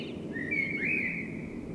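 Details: Spring night song of a common blackbird, one mellow whistled phrase that slides up and wavers, with a steady low rumble of background noise underneath.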